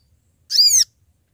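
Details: Sooty-headed bulbul companion call used for trapping: one short harmonic note, arching up and down, in an otherwise quiet moment.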